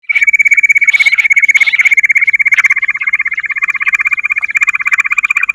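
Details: Bush quail call used as a lure: a fast, steady, high trill of evenly pulsed notes, about three a second, holding one pitch throughout with a thin buzzy overtone.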